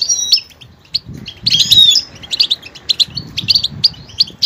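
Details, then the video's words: A goldfinch switches between sounds in its diverse song: a thin whistled note, a loud tangled twittering flourish, then a run of crisp separated chirps at a steady pace. "motivational ringtones that will take you on a journey with goldfinch"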